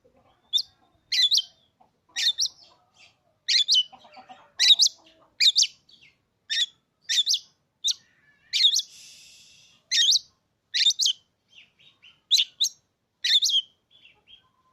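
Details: Recently adopted caged Oriental magpie-robin singing a long run of loud, rasping notes spaced under a second apart, with one soft hissing burst midway. The surroundings are quiet.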